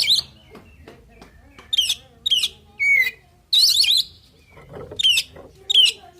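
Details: Oriental magpie-robin singing a varied song used to provoke other birds into answering: loud, sharp, rising and falling whistled phrases of two to three notes, spaced irregularly about every half second to second, with faint lower chatter between.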